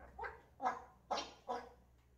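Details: A pet African grey parrot talks, said to be saying "¡qué asco!": four short, voiced, speech-like syllables about half a second apart, each with rich harmonic bands, in a quiet indoor room with a faint low hum.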